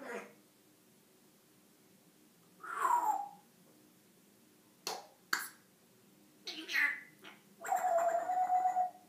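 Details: Pet African grey parrot talking and making odd sounds: a drawn-out, falling, meow-like wail, a few sharp clicks, then more rising and wavering nasal calls ending in a long, steady tone.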